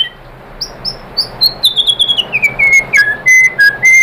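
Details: White-rumped shama lure song meant to prompt other shamas to sing: a few high whistled slurs, then a cascading run of notes stepping steadily downward, ending in sustained level whistles.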